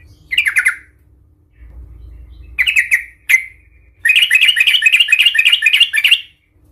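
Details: Aggressive sooty-headed bulbul, its fighting song used to make other bulbuls sing emotionally. Short chirpy bursts lead into a sustained, rapid, scratchy chatter of about two seconds, with faint background rumble.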